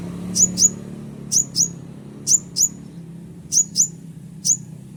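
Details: Scarlet-headed Flowerpecker, locally konin, giving its lure call: thin, very high, sharply descending notes, mostly paired, repeated roughly once a second. A faint low hum runs underneath.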